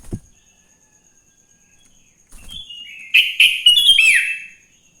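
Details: Sooty-headed bulbul heard in the wild in the morning, a song used to lure other bulbuls: after a near-silent start, a soft rustle, then a loud quick run of chirps closing with a sharp falling whistle.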